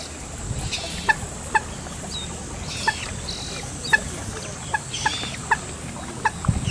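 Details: Two well-grown Common moorhen young calling eagerly for their parents when straying a little from their home, in Japan: short, sharp clicking notes at uneven intervals of about half a second to a second, with faint high chirps behind.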